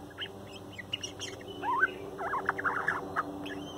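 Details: Young male bird softly singing its morning song close by: a few thin chirps, then a rising slur and a rapid burst of looping warbled notes, over a steady low hum.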